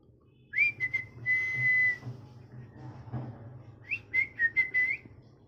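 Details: Pet parrot, molting and missing feathers, kept indoors: clear, steady whistled tones rising then held level, a long drawn note, a pause, then a series of short wavering whistles, with low room hum underneath.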